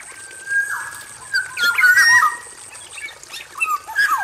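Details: Male black-naped oriole in an aviary cage, singing energetically: a long flat whistle, then a tangle of rich, bending notes and brief harsher bits, ending with falling fluted whistles; steady background hiss.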